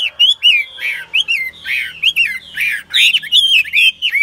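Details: Chinese hwamei kept in a cage and tested for fighting attitude, described as a diligent, fine-voiced singer, delivers loud clear whistled notes in short swooping phrases, each bending down, separated by brief pauses with sharp clicks.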